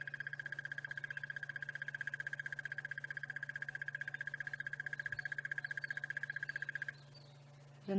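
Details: At sunrise on 30 September 2016, a crested barbet calls from the savanna beside a safari vehicle. It gives a long, fast, even trill, buzzy and almost insect-like, likened to crickets and frogs, for about seven seconds over a steady low engine hum.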